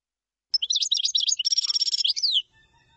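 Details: Common chaffinch song, known locally as tabbalat: a loud, high run of quick chirping notes that speeds into a rattling trill and closes with a downward flourish, lasting about two seconds against a quiet background.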